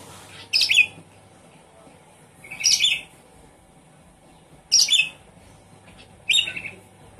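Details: Javan pied starling sound played as a lure to prompt a silent bird to sing: four loud, harsh, buzzy high bursts, each sliding downward, spaced about two seconds apart over a quiet background.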